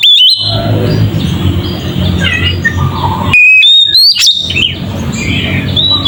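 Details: Oriental magpie-robin ngeplong song, used to provoke magpie-robins. Mostly soft, varied chirping and warbling over steady background hiss, broken by a short burst of loud, high whistled notes with quick upward flicks.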